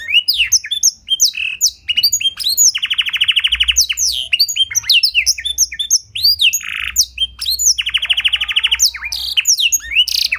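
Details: Canary singing with blackthroat fill-in, a clear tutor song: energetic high whistles and sweeps broken by two long, rattling, evenly pulsed trills, one early and one late.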